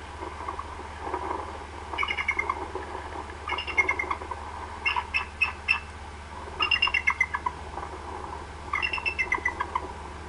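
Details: Female bald eagle at the Decorah North nest, 24 March 2016 around midday, calling for her mate to come to the nest: high, thin chittering series of quick notes in bursts every two seconds over steady low rumbling noise.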